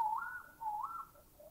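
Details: Bay owl in Thailand: two short whistles, each dipping low then sliding up to a higher held note, about half a second apart, over quiet background.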